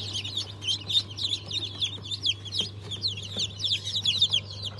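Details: Newly hatched Sultan, Fizan and İspenç chicks from a hatch on 22 February 2023 give clear, repeated high peeps, each a quick falling note, many chicks calling at once above a low hum.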